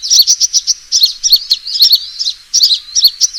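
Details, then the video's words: Sunbird fighting call used as a lure: fast, thin, high-pitched chips and twittering notes, slightly uneven in rhythm, with a brief lull before the last notes. "suara pikat burung kolibri tarung"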